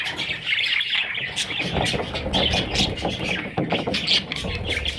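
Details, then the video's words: Little parrot babies squeaking in rapid, high-pitched chirps, partly masked by a low engine-like rumble. "Parrot little babies"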